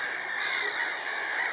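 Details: Black-headed gulls, probably nesting nearby at Castle Espie wetland, County Down, Northern Ireland, give a dense chorus of harsh, rasping cries overlapping with no pause, like many birds calling at once.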